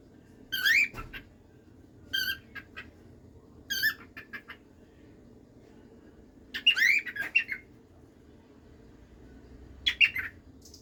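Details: A pet cockatiel indoors alternates squawky, harmonic notes and whistled phrases, delivered in irregular clusters every second or two.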